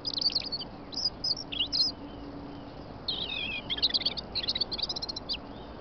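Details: A robin sings on a snowy morning in England: high, thin, tumbling warbled phrases broken by short pauses, some ending in quick trills, over a faint low hum.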